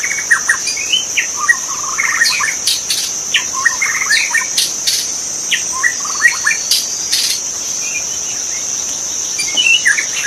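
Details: Wild magpie-robin in a forest pouring out a rich run of chirps, whistles and short trills in close succession, with a loud steady insect drone throughout.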